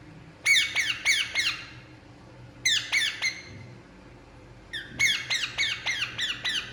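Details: Relaxing Indian ringneck parakeet giving three bursts of harsh, grating squawks. Each burst has four to six quick downward-slurred notes, with short silences between the bursts.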